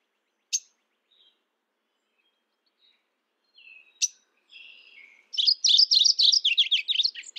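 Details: Mourning warbler calling: after a few isolated sharp chips and short thin notes, a quick run of repeated warbled, slightly buzzy high notes rolls on at nearly four per second, clear against a quiet background.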